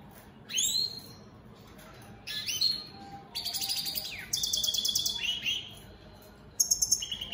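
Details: Captive European goldfinch of an opal split satiné mutation in song, mixing sharp rising and falling whistled sweeps with rapid metallic buzzy trills and liquid twitters, delivered in separate bursts with short gaps.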